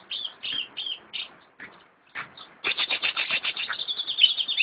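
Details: Captive greater green leafbird (cucak ijo) kept in a collection singing loudly: several sharp high chirps, a brief pause, then a fast rattling run of rapid bright notes building to a dense twittering stream.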